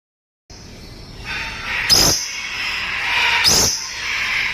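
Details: Dusky lory at a breeding aviary giving harsh, drawn-out screeching calls with rich overtones. Two sharp knocks or bangs are heard near the second and third-and-a-half seconds.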